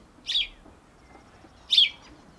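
A male house sparrow gives two harsh, chirping chirrups about a second and a half apart, each a brief burst, over a quiet background.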